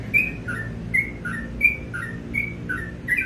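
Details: Sooty-headed bulbul singing in the morning: a few spaced whistled phrases, each a high slurred note followed by a lower falling note, about every half second, over low background noise.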